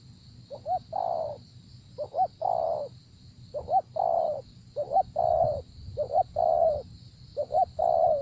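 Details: Spotted dove during a decoy-luring session, cooing a repeated phrase of two quick rising notes then a longer, fuller coo, about six phrases in eight seconds, with a steady high-pitched drone and low rumble behind.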